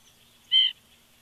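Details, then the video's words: A woodpecker near an eagle nest gives a morning call: one brief, buzzy, nasal note of about a fifth of a second in a quiet setting. "Woodpecker Vocals"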